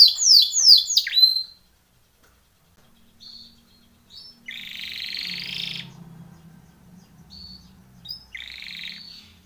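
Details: Timbrado canary training song: an opening burst of fast descending whistled sweeps, a long pause, then two separate buzzy trills, with soft low background hum.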